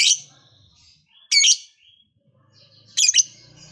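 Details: Lovebird described as a lively singer whose calls stir other lovebirds to sing, giving three harsh, shrill chirping bursts about 1.5 seconds apart, each brief and rasping, with a faint low hum underneath.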